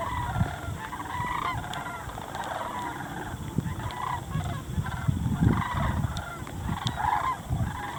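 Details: Flock of sandhill cranes in winter river-bottom farm fields of southern Indiana, feeding. Bursts of rattling, trumpet-like notes come and go through the recording, with heavy low background rumble underneath.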